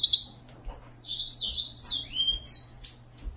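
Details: Yellow-fronted canary singing a quick run of high, bright warbled notes, some sliding and trilled, with short gaps and a faint steady low hum in the background.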